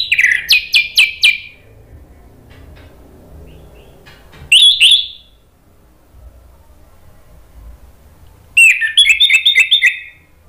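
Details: Orange-headed thrush, a recording meant to stimulate singing, gives three separated bursts: a fast run of sharp repeated notes, a short slurred whistle, then another rapid series of clipped notes, with quiet gaps between.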